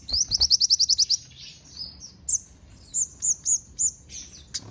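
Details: Sogon song carrying imitations of house sparrow, cililin and canary. It opens with a fast trill of nine or so high clipped notes, then a pause, then spaced arched whistles repeated every third of a second.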